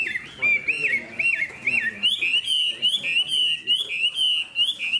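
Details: Hwamei, a caged spread-tailed bird said to have a fine voice, singing loud whistled phrases that loop and wobble up and down, then run into a steady chain of high rolling notes about once per second.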